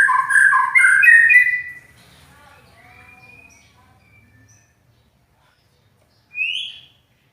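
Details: White-rumped shama with a loud, rough voice, praised as best in its class: a dense burst of rich, fast notes for about two seconds, a quieter trailing whistle, then silence broken by one rising note.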